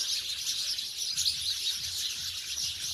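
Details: House sparrows now living in villages away from the city, many birds chirping at once in a dense, unbroken high twittering chorus with no pauses.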